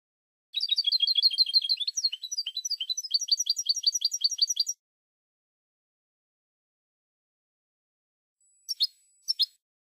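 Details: European goldfinch song in the Spanish style, taken from a famous silvestrismo tape: a long, fast trill of repeated notes, then a run of chattering twitters lasting about four seconds, silence, then two sharp calls.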